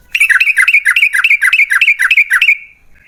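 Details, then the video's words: Yellow-vented bulbul song used as a lure for other bulbuls: a steady, fast chattering series of about twelve rich, looping whistled notes, roughly three and a half per second, trailing off in a thin fading whistle. "TRUCUKAN GACOR Ropel Panjang Buat PANCINGAN TRUCUKAN Agar Bunyi"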